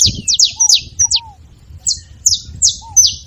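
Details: Saffron finch singing a fine song used to stir a quiet caged canary into song: sharp, high, buzzy chirps in quick bursts, about two or three a second, with a brief pause midway and faint lower slurred whistles beneath.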